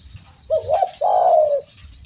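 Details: Spotted dove giving its vigorous call: a short rising-and-falling double note, a brief pause, then a long smooth low coo fading downward, with low background rumble.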